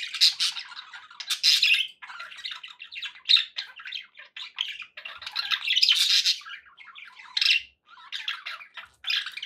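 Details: Several pet budgies indoors keep up a busy, scratchy warble mixed with harsh squawks and short chirps, rising in loud bursts with brief pauses between runs.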